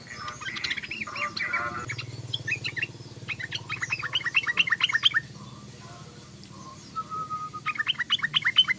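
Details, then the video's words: Chattering sooty-headed bulbul: lively runs of rapid, rising chirps and warbled notes, a pause with a brief flat whistle, then another quick chattering burst; low rumble underneath. "SUARA BURUNG TRUCUKAN❗❗❗TRUCUKAN NGOCEH❗❗❗TRUCUKAN NGERIWIK❗❗❗"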